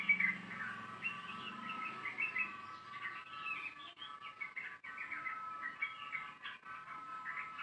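Yellow-vented Bulbul giving a long, fast run of bubbly, chattering notes with no real pauses, over a faint steady hum.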